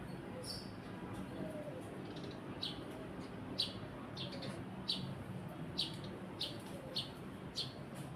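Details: Eurasian tree sparrow calling: short, high chirps repeated at irregular intervals about every half second to a second, standing clearly above a steady low rumble of background noise.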